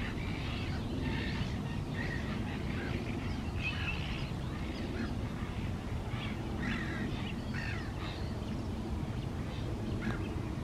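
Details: Great crested grebe calling at small lakes on the morning of 28 May 2024: harsh, nasal, quacking notes come in short bursts among constant low rumble and a busy chorus of other birds' chirps.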